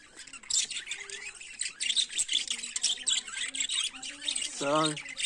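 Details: Morning budgerigar warbling: busy high chirps and scratchy twitters run throughout, with short tonal notes, and a louder harsh, harmonic squawk near the end.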